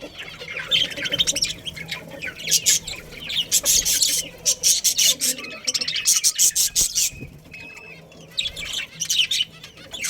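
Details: Colony budgerigars with a breeding pair produce bursts of fast, harsh, high chirps and squawks, broken by brief pauses, then more chattering warbles near the end.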